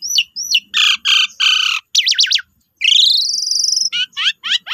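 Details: Asian pied starling singing as a lure meant to provoke other starlings into full song; a varied medley of whistled hooks, harsh buzzy bursts, rapid downward sweeps and a long rising whistle, with no other sounds.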